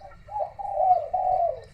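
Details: A spotted dove calling from far off around midday to 1 pm on a hot day with rain threatening gives a soft, low cooing phrase in two smooth, drawn-out parts, just over a second long, with faint background rumble.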